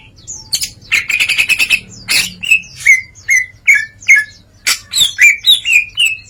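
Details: Greater green leafbird delivering ngeplong song with mimicry: a quick rattling burst of clicks, then a run of loud down-slurred whistles, then more rising and falling whistled notes in an uneven rhythm.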